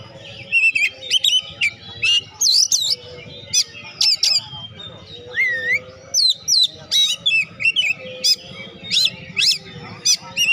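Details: Oriental magpie-robin in vigorous, continuous song meant to stir reluctant magpie-robins into singing: a rapid stream of squeaky whistles, looping slurs and harsh chips, almost without pause.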